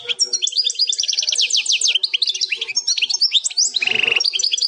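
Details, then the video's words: Continuous European goldfinch song in the plak mine style, fourth section. Rapid cascades of sliding whistled notes and jingling trills, broken near the end by a short harsh buzzy note. "04 chant plak mine ,canto del jilguros plak mine,غناء حسون بلاك مين بدون غلاطات"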